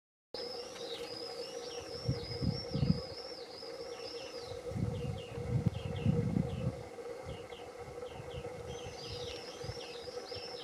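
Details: Greenfinch juveniles, the first of 2021, being fed by the male in a garden; rapid wavering high-pitched calls in bursts at the start and end, fainter notes between, with low rumbling background noise and a steady hum.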